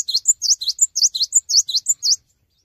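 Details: Cinereous tit (gelatik batu) in full vigorous song while staying still on its perch: a brisk, steady run of high, piercing, bouncing notes in a repeating pattern that stops abruptly after about two seconds, leaving silence.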